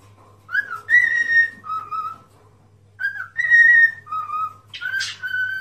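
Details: Cockatiel song for teaching a cockatiel to sing: a few drawn-out whistled notes, rising then dropping lower, given in two phrases, ending with a brief harsh note and a held whistle over a faint background hum.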